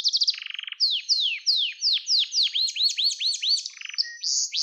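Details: Gloster canary singing, used to train young canaries: a rapid buzzy roll, then evenly spaced falling whistles followed by bouncy rising-falling arched notes and closing chirps.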